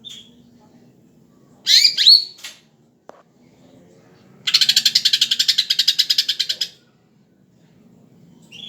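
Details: Greater green leafbird, described as very tame, singing actively. A few loud sharp notes are followed by a click, then a long, even, rapid rattle of about twenty harsh pulses lasting two seconds.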